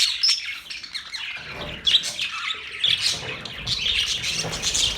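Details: Budgerigars chattering, a dense overlapping mix of high chirps, squawks and warbled notes that rises and falls in short bursts, with faint low background noise.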